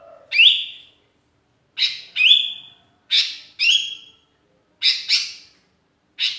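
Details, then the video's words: Lonely sooty-headed bulbul calling for companions as a lure; harsh chirps with whistled rising tails, given singly or in pairs about every second or so. "kutilang kesepian gacor mangil kawan jos buat pancingan"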